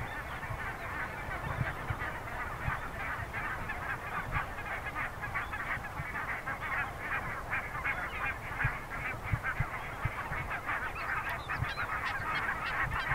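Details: Dense chorus of geese honking and clamoring together in a goose colony with a small polar bear cub present, over low rumbling noise.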